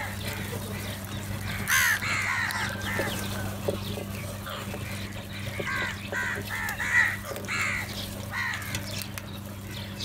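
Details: Several crows fighting over food give a burst of harsh, harmonic cawing calls, many overlapping and repeated across the stretch, loudest near the start and again toward the end, over a steady low electrical hum.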